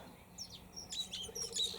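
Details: Red-rumped parrot (grass parrot) in the morning, in the open near a house, gives a quick run of thin, high chirps and short downslurred whistles, with a faint low hum underneath.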